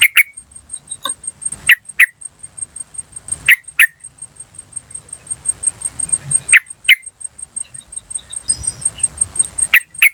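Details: Yellow-vented bulbul, wild sound for attracting birds: widely spaced single and paired clipped notes every second or two, against a constant fine high-pitched whine and quiet low background noise.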